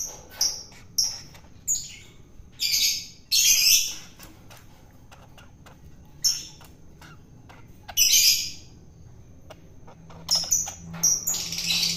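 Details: Wild-caught long-tailed shrike being fed to tame it; scattered short, harsh, high-pitched squawking bursts with quieter clicks and handling noises between them.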